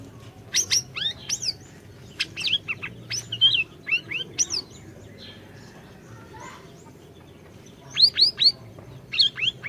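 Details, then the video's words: Orange-bellied leafbird, an actively singing bird, used as a training recording to lure a silent bird into song: bursts of quick rising, slurred whistled notes and sharp chips, a quiet pause midway, then fast rising triplets, over a low steady hum. "Masteran Burung Siri Siri Gacor, Cocok Buat Pancingan Burung Siri Siri Macet BUNYI"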